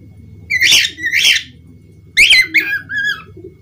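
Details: Budgerigar squawking twice in rough, noisy bursts, then a quick scratchy chatter ending in a few short falling whistles, with low hum underneath.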